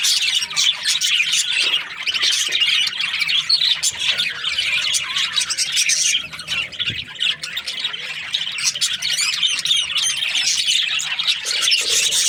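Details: Happy budgerigar chatter: a long, busy string of rapid clicks, squawks and twittering chirps that keeps going almost without a break, briefly softer near the middle.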